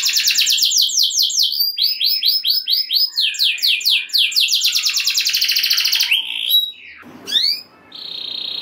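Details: Canary singing loudly to get other canaries going: strings of falling whistled notes and fast rolls for six seconds, then a short pause, a single rising sweep and a thin high trill.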